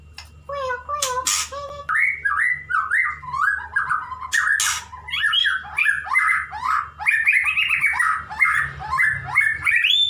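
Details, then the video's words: Male white-rumped shama wooing a female, kept as a pet. The song opens with a few sharp high notes, then runs into a long string of whistled, slurred phrases that rise and fall, growing higher and more varied toward the end. "Murai Jantan merayu Betina"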